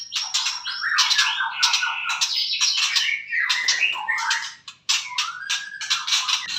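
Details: Kept white-rumped shama singing in the morning: a loud, fast, varied run of rich whistles, sharp chirps and rising and falling phrases, with a short pause near five seconds before the song resumes.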